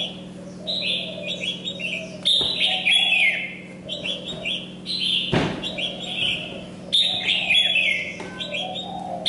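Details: Molting decoy Red-whiskered bulbul still singing vigorously, with lively chirpy whistled phrases repeated in rapid bursts. A steady low drone runs underneath, broken by a couple of sharp knocks.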